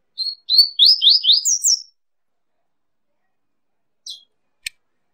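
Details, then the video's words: Double-collared seedeater song: a quick run of about six downslurred whistled notes, ending in two higher rising slurs within under two seconds, then silence broken by a brief faint chip and a click. "ESQUENTE SEU PAPA CAPIM COM UM MIX DE 05 ÁUDIOS CANTOS DIFERENTES"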